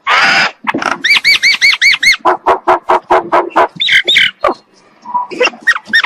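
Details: Morning song of a common myna opens with a harsh rasp, followed by a fast series of arched, ringing notes and a string of short clicking chirps with brief whistled phrases near the end.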